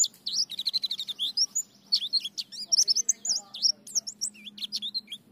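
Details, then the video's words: White-eye singing in ngalas, nembak and ngriwik styles: nonstop rapid, very high twittering of looping, up-and-down whistled notes, bright and energetic, over a soft steady low hum. "Terapi Pleci Ngalas Nembak Ngriwik Gacor"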